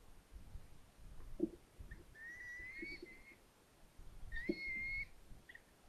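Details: Red-footed falcon nest at Polgár, Hungary, July 16, 2022, with the family together at breakfast: two drawn-out, thin whistled notes, each rising slightly and lasting about a second, with a few dull knocks and low background rumble between them.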